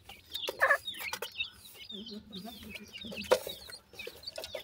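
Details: Sindhi and Dakhni black francolin chicks feed and play, giving rapid thin chirps and soft clucks that overlap among several birds, with a louder squeaky burst early on and low murmuring notes mid-clip.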